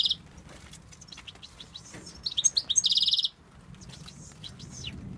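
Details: European goldfinch, a male from Tunisia, delivers bright twittering notes rising into a loud, fast buzzy rattle around the middle, then softer scattered chirps and slurred whistles.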